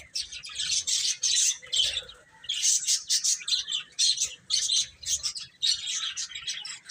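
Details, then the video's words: Baby chickens eating and playing; sharp high-pitched peeps come in rapid clusters, many birds chirping at once with brief pauses between bursts. "Baby Chicken Chirping Sounds"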